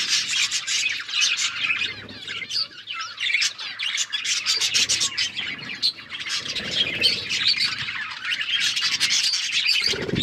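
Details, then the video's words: Budgerigars feeding on seeds keep up a busy, unbroken warbling chatter of high chirps and scratchy squawks, ending with a low rustle or wing flutter. "Beautiful budgies parrot chirping sounds and eating seeds"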